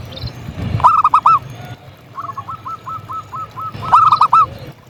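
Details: Actively singing local zebra dove: loud bursts of three or four hooked, ringing coos at the start and end, with a quieter distant run of about eight clipped notes between.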